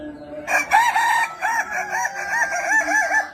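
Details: Kukuak Balenggek chicken, noted for its stepped, multi-syllable crow: a strong opening note then a long series of about eight wavy, arching syllables repeated evenly, over a faint steady hum.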